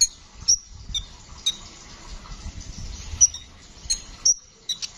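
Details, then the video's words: Brown-throated sunbird gives sharp, very high chips and thin squeaks at irregular intervals, about one to two per second, over a faint low rumble; recording used to train or lure male songbirds. "burung kicau Kolibri ninja gacor ngeroll"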